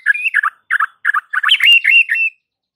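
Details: White-rumped shama singing to provoke other shamas into song: quick choppy phrases of warbled, chattering notes in short bursts, ending in a sustained whistled note with a click in between.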